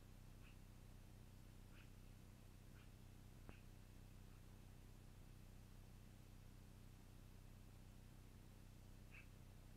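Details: Long-eared owl at its nest, recorded on 12-04-2018 in the evening between about 20:56 and 21:56; faint, brief, high squeaky calls, about five in ten seconds at irregular gaps, over a steady low hum.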